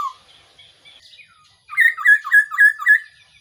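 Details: A quick, evenly spaced series of six short whistled notes from a Black-throated laughingthrush, the call used as a decoy when trapping, after a brief faint lead-in.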